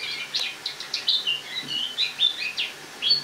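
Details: Short burst of a caged Eurasian blackcap's autumn song, recorded indoors on 1 October 2017; a string of soft, clear whistled notes at a steady pace, each slightly sliding in pitch.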